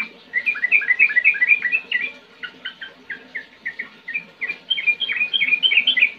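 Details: Energetic yellow-vented bulbul song of the ngetir ngerol type: quick bursts of chirpy whistled notes, a short looser stretch of separate notes mid-way, then a dense rolling run again, with soft background hum.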